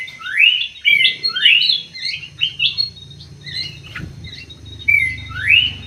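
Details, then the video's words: Greater green leafbird in an aviary singing loud rising slurred whistles in quick bursts, interspersed with short chirps and twittering notes, with a low background hum. "CUCAK HIJAU"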